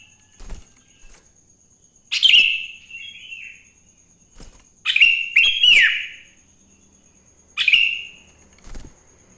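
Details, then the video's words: Sooty-headed bulbul in morning song, a lure for other bulbuls. Scattered bright chirps and sliding whistled phrases alternate with soft low thumps and taps in the quiet gaps. "Suara Burung kutilang GACOR di Pagi hari‼️ Joss Buat Pancingan Kutilang Bahan Agar Cepat Bunyi"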